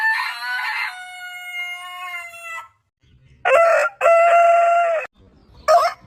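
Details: Rooster crowing: a rough opening gives way to a long, clear, slowly fading crow. Two loud, harsh crow phrases come after a pause, followed by a short burst at the end.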